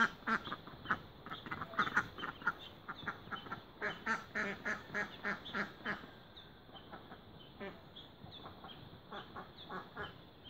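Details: Mallard with newborn ducklings, feeding: a rapid run of harsh, nasal quacks, about three to four per second, loud for six seconds, then thinning to fainter, scattered calls over a low background hiss.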